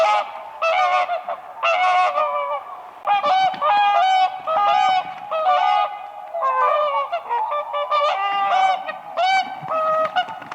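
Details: A spring lake where whooper swans dance on the ice, giving sustained rounds of loud, resonant trumpeting. Many birds call back and forth in rapid, overlapping honks with few pauses.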